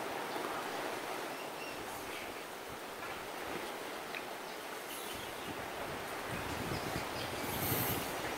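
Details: Broad wind or surf-like roar fills the recording, rising slightly toward the end, with no bird song heard.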